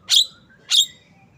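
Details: Javan myna, locally called jalak kebo, giving two loud, harsh, rasping notes about half a second apart, each a short burst dropping slightly in pitch, over a quiet background.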